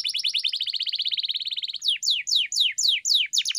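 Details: Pet canary training song meant to get a canary singing: a fast, even buzzy trill lasting almost two seconds, then a run of five loud, downward-sweeping whistles spaced about a third of a second apart.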